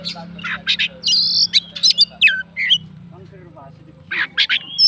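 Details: Fighter-type Oriental magpie-robin singing to set off other magpie-robins. Short bursts of sharp chirps and clear whistled notes are broken by quiet pauses, over a constant low hum.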